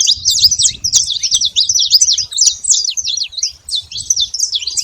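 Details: Crowd of saffron finches at a feeder making noise: rapid, jumbled high chirps and short slurred notes, roughly three a second, overlapping birds, with light low thumps in the background.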